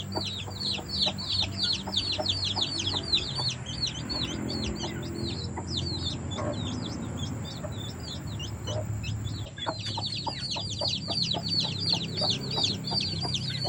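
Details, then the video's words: Chicken sounds: a dense run of short, high, downward-sliding peeps repeated about three times a second, overlapping one another, over a steady low hum and a faint constant high tone. "Free Chicken Sound"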